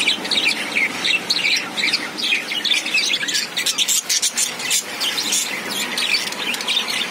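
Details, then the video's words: Budgerigars chirp in a lively mix of squawky, buzzy notes and rapid high warbles. The calls overlap almost without a break and fall briefly quieter midway. "Buggies chirping"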